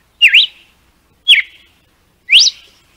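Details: Red-cowled cardinal from Northeast Brazil singing the açoite song style used to teach young birds: three clear whistled notes about a second apart, the first dipping then rising, the second falling, the last sweeping sharply upward, with a silent background.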